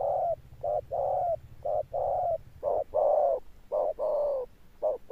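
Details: Spotted dove, a wild-caught bird, cooing in the deep 'thunder' style: rhythmic short-long pairs of low hollow hoots, about one per second, with a soft low hum beneath early on.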